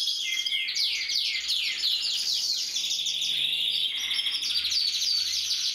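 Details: Singing Gloster canary: rapid repeated downward-sweeping notes, then a continuous high warbling trill with brief changes of pitch and rhythm.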